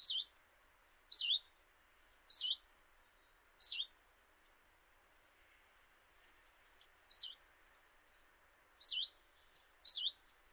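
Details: Common chiffchaff at a kitchen window in Eibar, early March 2018: sharp, high, down-slurred notes repeated roughly every second, with a short pause mid-sequence before the notes resume. The background is quiet.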